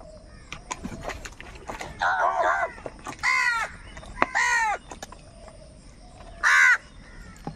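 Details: Angry crow calls among birds fighting over food: four harsh, nasal caws, each under a second, spaced irregularly, with faint softer calls and clicks in the background.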